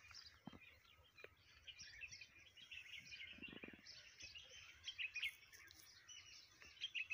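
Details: Morning birdsong in a garden: several birds chirping and twittering together at high pitch, overlapping bright notes with a few sharper whistles near the end, over faint low background hum.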